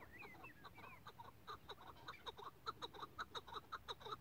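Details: Chukar partridge kept as a hunting decoy calling in a quickening run of harsh clucks that become louder and more regular, about two per second, after a few thin rising whistles from a small bird at the start.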